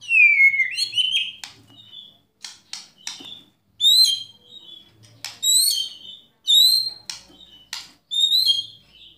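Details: White-rumped shama singing 'tembakan' and 'kretekan' phrases to rile up other shamas: a falling whistle, then loud short high notes repeated every second or so, separated by dry clicks.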